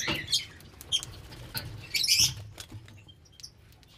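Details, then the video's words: A small group of lovebirds enjoying the sunshine chatters in shrill, high chirps and squeaky bursts, scattered irregularly, with some soft scratching and rustling between calls. "Gang Of Love Bird Enjoying Sun Shine | What do Birds Sound Like"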